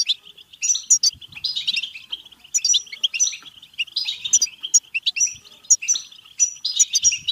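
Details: Goldfinch (European goldfinch) batbata-style song meant to push other goldfinches into singing and mating: a fast, liquid twitter of high chirps and silvery whistled notes, rising in energetic bursts about every second.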